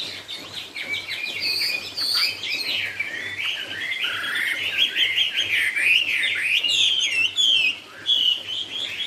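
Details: Chinese hwamei singing a long, dense "cao cầu" style song: tumbling, mellow whistled phrases mixed with fast trills and swoops, varied and unbroken for nine seconds, with a faint mechanical hum behind.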